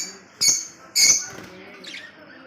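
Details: Two loud, shrill, high squawks from a lovebird in Kolkata, a half second apart, followed by a softer, rougher note.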